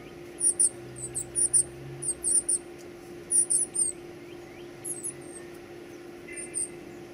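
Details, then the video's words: Young birds at feeding time give scattered bursts of shrill, high squeaks, sparser and with longer gaps, over a quiet background hum. "feeding baby birds"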